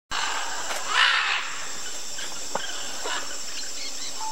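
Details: Blue-and-yellow macaws at the Chuncho Macaw Claylick, Tambopata River, Peru: a single harsh, grating squawk with a few fainter calls, over a steady high insect drone and forest hiss.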